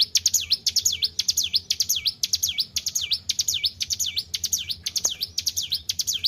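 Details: Caged white-browed shortwing, the result of careful keeping, pouring out a steady sequence of high swooping whistles, each sliding down and back up, about two per second, over a quiet background hum.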